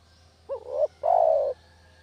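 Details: Spotted dove from a village, cooing as a trapping lure: one phrase of a short wavering coo rising then dipping, a brief gap, then a sustained half-second coo that slowly falls.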